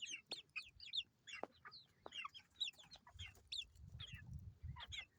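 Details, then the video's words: Chicks, baby chickens, peeping busily: dense bursts of high, bright chirps, often falling in pitch, several birds calling at once, with occasional knocks and a low murmur in the background. "Chicks Chirping Sounds - Baby Chicken"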